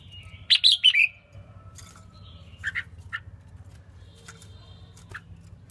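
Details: Female red-whiskered bulbul singing to stimulate males; a rich warbled phrase of several notes opens, followed by scattered shorter chirps and a faint whistle in a quiet setting.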